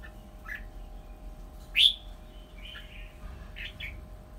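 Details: Red-whiskered bulbul, a decoy bird nearly finished moulting, gives scattered short chirpy notes with one loud, sharp whistled note midway and brief warbled phrases after it, over a low steady electrical hum.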